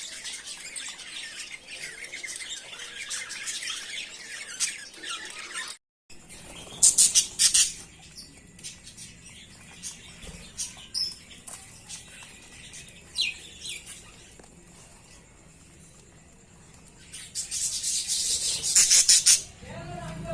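Budgerigars chatter with dense, high, scratchy warbles and squawks, rising into louder bursts of sharp chirps.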